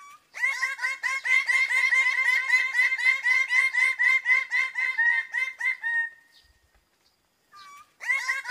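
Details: Greater Bird-of-Paradise giving a loud, rapid run of harsh, nasal 'wak' notes, about four per second for nearly six seconds, then a pause before the series starts again.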